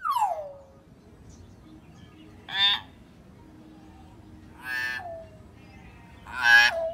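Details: Common hill myna sounds meant to get a silent bird singing: a falling whistle, then three loud harsh, buzzy calls spaced about two seconds apart, some ending in a downward slur, with quiet background hum.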